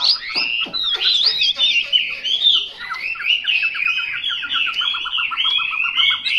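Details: Chinese hwamei pouring out loud, continuous, richly varied whistles, ending in a fast even series of clipped repeated notes.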